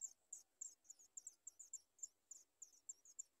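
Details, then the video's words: Sooty chat babies in the nest begging for food: piercing high-pitched squeaks repeated about three times a second in an even, insistent rhythm. "Sooty chat trying birds Watch baby food for food"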